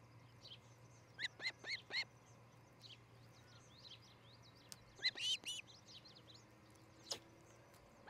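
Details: Early-morning osprey at a Charlo, Montana nest, July 2018. A quick run of four sharp, high whistled chirps is followed a few seconds later by another burst of three, over a faint low hum and rural quiet.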